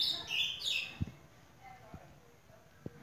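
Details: A singing ultramarine grosbeak gives a quick, high warbled phrase of sweet notes in the first second, followed by a few dull knocks and near-quiet.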